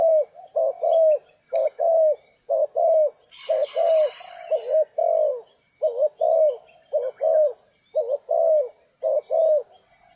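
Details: Spotted dove calling in a trapping session on a stormy, rainy day, a long steady run of low cooing phrases, short notes paired with longer bent ones, about one each second, and a brief burst of hissing noise midway.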